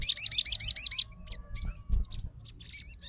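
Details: Sogon (Crimson Sunbird) fighter bird answering another sogon's song: a quick run of high looping trill notes for a second, followed by scattered chips and a brief final warble.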